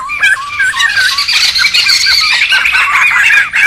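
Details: Laughingthrushes chattering noisily in the wild, for luring and tutoring: short wavering whistles open, then a thick overlapping wash of harsh scratchy calls and warbles from several birds.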